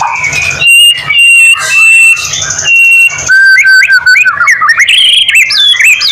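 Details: White-rumped shama song meant to spur other shamas to sing: long clear sustained whistles, then quick looping warbled notes climbing higher, with a low background hum.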